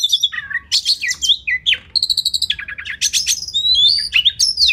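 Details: Oriental magpie-robin song recorded for training competition songbirds: varied sharp whistles, a rapid series of clipped pulsed notes midway, then sweeping high whistles and scratchy flourishes.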